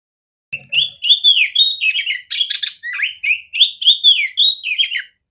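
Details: Oriental magpie-robin female with a large, clear voice, used to coach other magpie-robins. The song runs nonstop for about five seconds: sweeping whistles, quick slurred notes and a scratchy chatter burst in the middle.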